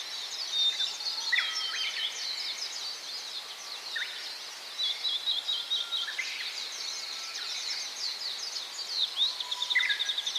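Gouldian finch: a steady, thin, high twittering with hissy, buzzy chatter and a few short clearer notes scattered through.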